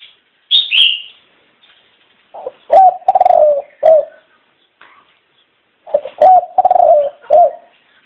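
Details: Kept ornamental dove cooing: after a brief high whistle, two low cooing phrases about three seconds apart, each a short note followed by a longer rolling coo that sinks slightly at the end.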